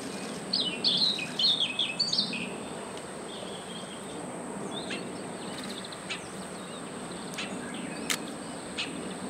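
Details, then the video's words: Siberian rubythroat calling: a quick, high, scratchy warbled phrase in the first two seconds, followed by fainter scattered ticks over a steady high-pitched hiss and low background rumble. "Siberian rubythroat call, 野鴝,( 红喉歌鸲)叫聲"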